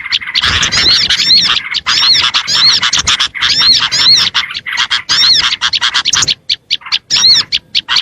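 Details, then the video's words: Recording used to lure small birds: rhythmic bursts of bright, looping whistles and chirps, then sparser clipped notes in the last two seconds. "AUDIO SUARA PIKAT BURUNG KECIL"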